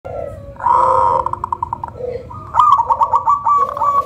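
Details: Local zebra dove, described as having a thick voice with a soothing rhythm and as good at provoking other zebra doves, gives soft mid-pitched coos, then a rapid bubbling run of repeated notes.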